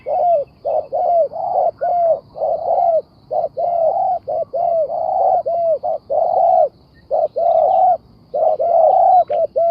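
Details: Spotted dove cooing: a steady string of mellow, low, rounded coos, some doubled and some drawn out with a slight fall, repeated with short irregular gaps throughout, with faint background hiss.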